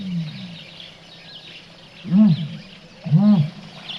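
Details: A male Common Ostrich in the wild gives its full booming call: two deep, hollow booms about a second apart, each swelling and fading, echoing over a faint background hiss.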